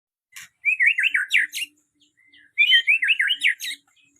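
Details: White-rumped shama singing two clear, whistled phrases of quick rising and falling warbles, each lasting about a second, separated by a brief soft note.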